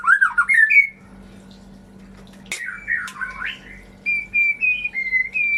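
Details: White-rumped shama song used to prompt shamas that have gone quiet or mute: a short warbled phrase, a pause, a tangled slurred phrase, then level whistled notes alternating in pitch.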